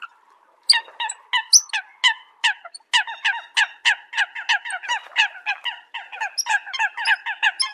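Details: Eurasian coots calling the flock: after a brief quiet start, a rapid, uneven run of short, nasal, honking notes begins, several birds overlapping in a dense, chattering series that continues to the end.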